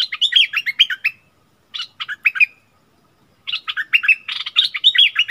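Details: Bulbul in a fierce singing duel with a wild bird, recorded 27 March 2021; bursts of bright, warbled chirpy phrases, a short burst, pause, another burst, then a longer rapid run of notes.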